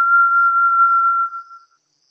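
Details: Tail end of a Brazilian Tinamou's song: a steady pure whistle on one even pitch, heard mid-note, holding for over a second before dying away with a couple of fading echoes.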